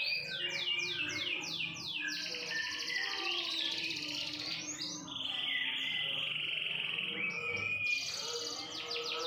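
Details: Canary singing a continuous, loud song: a run of rapid descending whistled sweeps, then long buzzy rolling trills and sustained high notes, closing with another burst of quick descending sweeps; faint low hum underneath.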